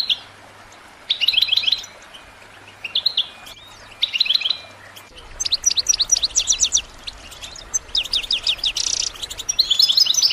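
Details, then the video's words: European goldfinch kept in a cage: buzzy trilled phrases at first, then a quick series of dry clicking ticks leading into twittering song, with a low background hum. "Top chant d'appel chardonneret pour motiver vos oiseaux"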